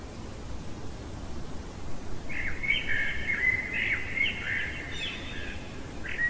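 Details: Common blackbird singing at night: a flowing phrase of melodious whistles, rising and falling, finishing with a higher twitter, then the start of another phrase, over low constant background noise.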